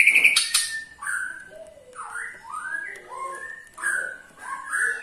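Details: White-rumped shama 'ketrekan' call meant to get other shamas singing, a harsh burst at the start, then a series of mellow descending and rising whistles repeated about once a second.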